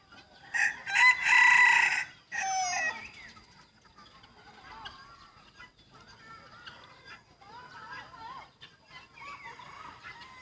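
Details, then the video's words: Young white rooster kept in a village, recorded 1 June 2020, gives one loud, strongly harmonic crow lasting about two seconds, followed by softer, wavering clucks and calls with faint background noise. "Qaib dib dawb qua zoo heev ไก่ต่อสีขาวหนุ่มเสียงขันดีมาก"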